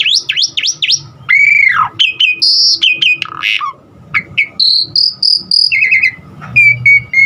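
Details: Asian pied starling song rich in varied filler notes, aimed at getting other starlings to sing: sharp zigzag chips, a long arching whistle, then a medley of high pure tones and fluting phrases.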